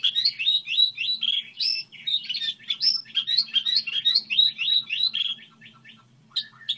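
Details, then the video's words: Goldfinch hybrid singing a model song, a fast stream of high twittered and slurred notes, about three per second, tapering into a few scattered chirps, low background hum. "Hibrid sticlete ,model de cântec (Goldfinch hybrid)"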